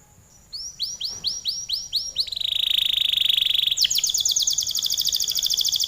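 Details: Canary singing a long, vigorous gacor song: after a quiet start, a run of about seven upswept whistled notes, then a steady fast buzzy trill, then a higher, brighter rapid trill.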